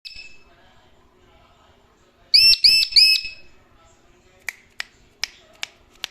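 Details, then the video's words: Pet male Indian ringneck parakeet kept at home, giving three quick, shrill, harmonic squawks in a tight burst, followed by a run of sharp clicking snaps. "Talking Parrot Will Make Your Day | Funny Talking Parrot"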